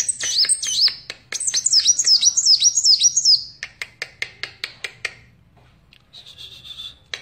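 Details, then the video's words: A Van Hasselt's sunbird gives a bright burst of high, rapidly looping whistled notes. A series of sharp clicks follows, then a brief soft buzzy tone near the end. "Burung Kolibri Wulung / Kaca Gacor"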